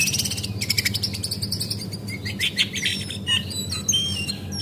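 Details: Brown cingcoang (Lesser Shortwing) female lure meant to make birds sing: a fast buzzy high trill opens, followed by clear thin whistles sliding downward, with a low background hum throughout.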